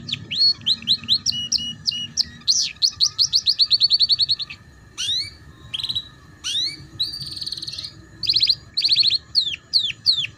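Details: Canary song for training young canaries in the ngeriwik style: rapid varied phrases with sharp chips, buzzy trills and high rolls, ending in several downward-sweeping whistles; a steady faint hum runs underneath.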